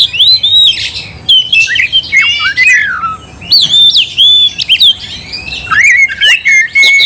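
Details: Oriental magpie-robin (kacer) singing aggressively to provoke another to fight: rich, varied whistled phrases with sweeping rising and falling notes, sharp chirps and bursts in quick succession, pausing briefly around the middle.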